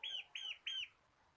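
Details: Bar-winged prinia of the local crystal or kapas type, a tutor bird for training cage birds, sings three loud, clear, arched notes about a third of a second apart, then stops.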